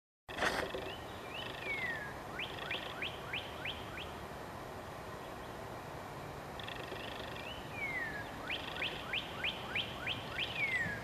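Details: A male Northern cardinal calls to attract a mate, midday, sunny and warm, Lafayette County, Mississippi, 25 April 2022: two bursts of clear, down-slurred whistles, each about five to eight notes, over steady background hiss.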